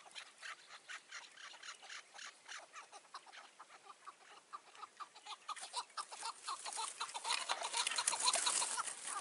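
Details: Chukar partridge calling near a trap in the mountains one June 2018 evening; steady, rhythmic chuk notes repeated about twice a second, growing louder and noisier towards the end, with wind-like rushing.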